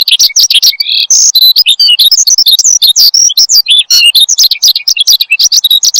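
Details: Horsfield's bushlark in full energetic song, meant as a training and lure recording for cage birds: a dense, varied torrent of high chirps, trills and short whistles with a few longer clear notes.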